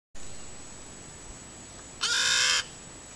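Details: Crow begging, recorded by a camera trap: one harsh, nasal, drawn-out call lasting about half a second, with a steady high electronic whine in the background.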